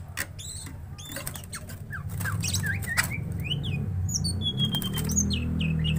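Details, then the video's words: Greater green leafbird, stirred up to fight, gives quick chirped and whistled notes, some rising, some falling, amid frequent clicks, tapping and a loud low droning hum. "Cucak Ijo Gacor Tarung"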